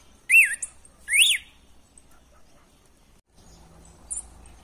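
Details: Red-cowled cardinal song used to fire up a captive male: two loud, arched whistled notes close together near the start, then near silence with a faint low hum.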